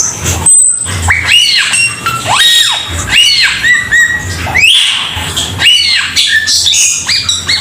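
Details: Cucak keling bird song: loud whistled phrases with sharp rising and falling sweeps, repeated in bursts about every second, over a steady low hum.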